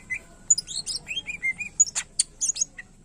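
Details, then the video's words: Greater green leafbird (cucak ijo) giving a short, rapid phrase of high whistled slurs and squeaky notes, followed by several sharp harsh bursts. "Cucak Ijo Gacor Isian Pilihan Terbaik Cocok Buat Masterin Burung Lain Yang Malas Bunyi"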